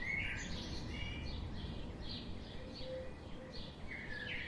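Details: Several birds chirp together: thin high notes, downslurs and a few short level whistles, tumbling over one another against constant outdoor noise.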